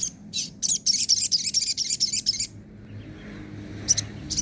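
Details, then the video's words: Sogon delivering nembak and ngobra song for training other birds: a quick, even run of high piercing chips for about two seconds, then quiet with two faint notes at the end. "masteran suara sogon nembak & ngobra"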